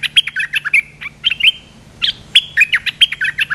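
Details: A large, territorial resident Streak-eared bulbul, called down by a lure, gives quick bursts of bright, chattering chirps, several notes a second in two spells, over a faint low steady hum.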